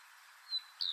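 Common redstart giving two thin, high whistled notes, the second slightly falling, over a faint outdoor hiss.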